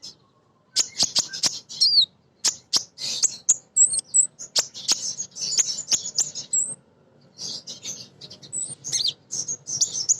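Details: Female sunbird, known locally as kolibri ninja, singing steadily as a lure to draw song from untrained birds: rapid high thin chirps and twittering trills in dense bursts, with short pauses between phrases.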